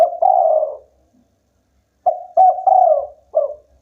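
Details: A local spotted dove coos loudly, a long falling note, then after a pause a phrase of short coos, a drawn-out coo and a clipped final note.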